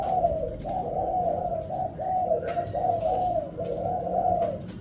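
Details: Low, mellow cooing from a spotted dove performing a stuttering variation (pesom ori): long run-together coo phrases that swell and dip in loudness, with a few sharp clicks and background hum.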